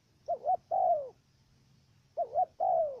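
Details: Two stuttered coo phrases from a trapping decoy dove in Cà Mau, Vietnam: each a quick double note, then a long mellow coo sliding downward, spaced about two seconds apart.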